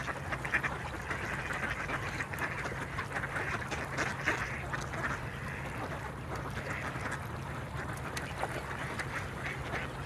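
A gathering of mallards quacking and chattering nonstop, the nasal calls overlapping into a dense babble, with a low steady hum underneath.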